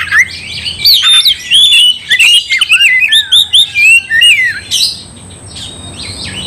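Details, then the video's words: Energetic oriental magpie-robin song used to rile up a rival: rapid run of bright whistled phrases, upslurred notes and scratchy chatter for about four seconds, then a short harsh burst and quiet. "gak mungkin gak nyaut Kacer gacor bikin kacer ngamuk"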